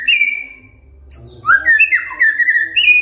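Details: Fighter kretekan from a white-rumped shama, intended to provoke silent shamas into answering: a long whistled note, a short high squeak, then a tumble of slurred whistles rising and falling, over a faint low hum.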